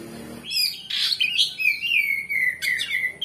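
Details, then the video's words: An Oriental magpie-robin in strong full song gives a loud, varied run of sweet whistles and sharp chirps, with one long sliding whistle held near the end. It is a lure recording meant to rouse other magpie-robins into answering. "Kacer Gacor Ngeplong Bongkar Isian"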